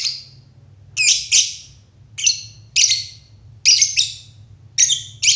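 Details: Lovebird giving loud, harsh, rasping chirps, singly and in quick pairs, at irregular intervals, over a steady low electrical hum.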